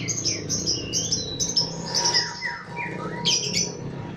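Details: Lovebird roused by a lure call, producing a rapid run of shrill squeaky notes and rising and falling thin whistles, with a steady low electrical hum underneath.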